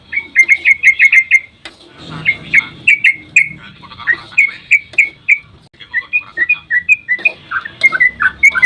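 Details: Dawn 'ropel' song of sooty-headed bulbuls, used to draw replies from other birds: very fast, loud strings of bright whistled notes, a short break, then more rapid chattering phrases running continuously.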